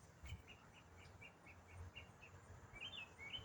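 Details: A lone songbird keeps up its non-stop autumn riff, a soft evenly spaced run of short whistled notes ending in a brighter, twisting flourish, over a steady low background hum.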